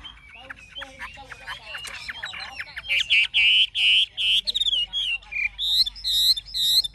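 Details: Wild-caught mature Chinese hwamei with forest-voice song: a soft, jumbled chattering opening builds into loud, clear whistled phrases repeated in quick succession, each note ringing and slightly downslurred.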